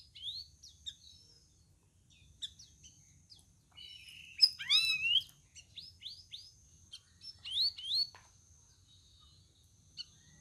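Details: Caged sooty-headed bulbul on its fourth day of care, already able to answer: bursts of sharp, upward-sweeping whistled notes, clustered near the middle and again toward the end, over a steady faint high hum.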